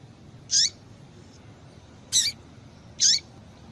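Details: Female double-collared seedeater call, played to excite and warm up males kept by breeders for singing tournaments; three short, high, sharp chipping notes, each dropping at its tail, spaced about one and a half seconds apart over a quiet background.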